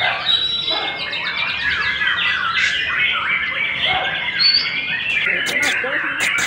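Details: Young caged white-rumped shama, newly singing steadily, chosen as breeding stock. A long run of fast trilled notes and slurred whistles is followed by chattering and sharp clicks.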